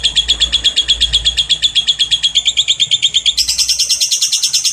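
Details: Lovebird delivering a long ngekek trill on a clear lure recording: steady, fast, high-pitched chattering pulses that jump abruptly higher near the end and keep going.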